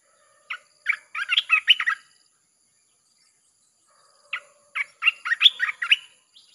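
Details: Song of a red-whiskered bulbul, played to attract wild birds: two rapid phrases of chirpy, warbled whistles, each lasting over a second, separated by a two-second pause.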